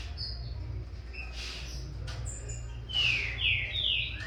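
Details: Young Green-winged Saltator of Corvo x Fogueira lineage, bred in captivity, beginning to compete in song with its father: soft scattered chirps, then a series of loud whistled notes sliding downward near the end, over low steady hum.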